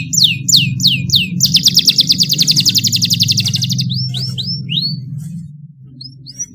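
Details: Canary juvenile trained with a model song: four loud down-slurred whistles, a sustained rapid roll, then rising whistled notes fading, over steady low-pitched background noise.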